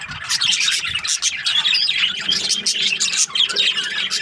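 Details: Breeding pairs of budgerigars in steady flock chatter: dense, high, rapid chirps and buzzy warbling notes overlapping without pause, with bright squeaks standing out throughout.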